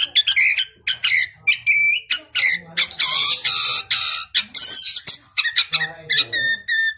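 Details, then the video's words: Orange-headed Thrush bred in southern Malang, singing gacor in captivity: harsher, buzzy and rasping phrases mixed with clear whistled notes, delivered in dense rapid bursts. "anis kembang gacor"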